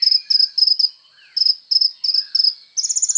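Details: Sunbird singing vigorously, used as training material for songbirds: very high, thin, rapid trilled bursts in short phrases of four to six notes with brief pauses, ending in a faster ringing trill; clean recording, no other sounds.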